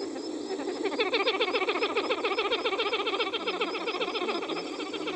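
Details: Pied-billed Grebe caring for its chicks at Varjota, giving a fast, steady chatter of harsh, ringing notes, several per second, over a faint low engine hum.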